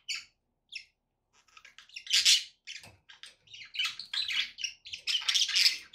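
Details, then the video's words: Budgerigars kept as pets start with a few isolated chirps, then break into continuous loud, buzzy, scratchy warbling that grows denser toward the end. "budgie sounds to encourage your parrot to eat and sing"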